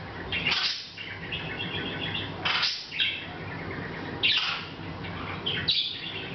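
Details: A pet Hahn's macaw chattering quietly to itself, unaware of being filmed, recorded in August 2012: bursts of harsh, scratchy squawks and short chirpy notes every second or two over a steady low hum.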